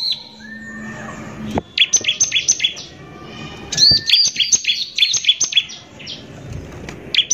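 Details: Bar-winged prinia singing harshly as a lure to provoke other prinias: a soft rising whistle over low background noise, then two runs of sharp, high, rapidly repeated notes.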